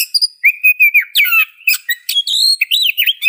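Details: Oriental magpie-robin singing a loud, varied run of clear whistled phrases, sliding and rising notes mixed with quick chirps and buzzy trills, delivered almost without pause; no other sounds.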